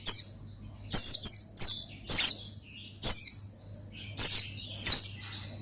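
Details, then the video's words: Oriental white-eye singing 'ngalas' to call and provoke a rival: a steady series of loud, shrill, downslurred whistles, singles and pairs about every half second, with a low hum in the background. "Gacor Ngalas Manggil Lawan Perangsang Burung Pleci"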